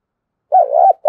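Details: Spotted dove, a single low wavering hooted coo rising and dipping, followed by the start of another note and a sharp click, in quiet surroundings.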